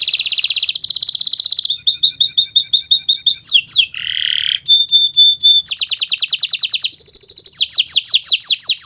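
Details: Kenari Nusantara canary in varied 'gacor' song for teaching other birds: buzzy trills, rapid rattles, a harsh low burst, clear steady whistled tones and sweeping slurred notes in quick succession.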